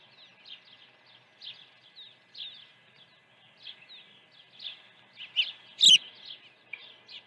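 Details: Continuous quick, high chirping from an osprey nest during an early feeding at Dunrovin Ranch on 1 June 2019, building to a loud, sharp piping call near the sixth second.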